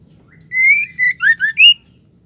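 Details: Female white-rumped shama calling to rouse males to sing: one clear phrase of a long rising whistle, a shorter whistle, two quick lower slurred notes and a final upward whistle, over a faint low hum.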